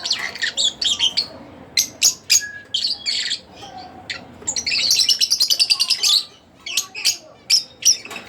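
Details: Pet Fischer's lovebird of the split blue colour, chattering with dense, high, squeaky chirps, a rapid rattling run in the middle, then more spaced sharp chirps.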